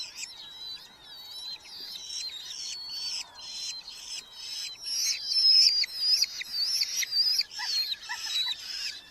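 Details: Red-footed falcons at a Hungarian colony nest box, July 2025, where parents deliver beetles to growing chicks; rough, buzzy calls repeat irregularly, louder in the second half, with thin looping whistles in the background.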